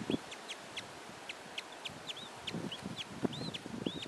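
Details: Pet budgerigar and its three chicks, heard as scattered short arched chirps at a fairly high pitch, mixed with dull knocks and thumps from movement nearby.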